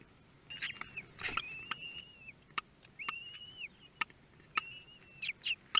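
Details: Kestrel chicks at hatching time in a nest at Théding, France, 24 May 2022; short rising-then-level squeaky whistles every second or so, with clicking and rustling in the nest.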